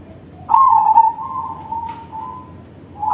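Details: Zebra dove of a crossing breed singing loudly: one long low coo that starts with a strong vibrating burst and fades into a steady, softer hum, followed by a new phrase beginning.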